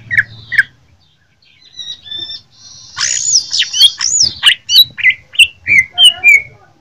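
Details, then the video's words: Fighting song of a greater green leafbird from Jember, Indonesia: two early chirps, then a long buzzy high phrase breaking into a steady run of sharp whistled notes about three per second. "Cucak ijo jember tarung dengan ciri khas nya"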